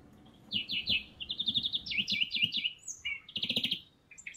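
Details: Greenfinch singing at a spring feeder near Kandalaksha, Russia: rapid trilled twitters in series, a short whistled note, then a burst of buzzy chirps, with faint low background rumble.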